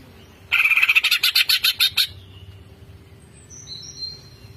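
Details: Greater green leafbird in 'bongkar isian' fill-in song: a fast, harsh rattle of about a dozen buzzy pulses lasting one and a half seconds, then quiet with faint high thin whistles.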